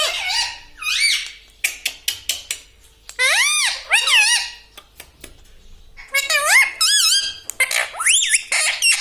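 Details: Pet talking parrot indoors in a small room, uttering short speech-like phrases with strongly harmonic, swooping rising-and-falling tones, mixed with sharp clicks and brief squeaks between phrases.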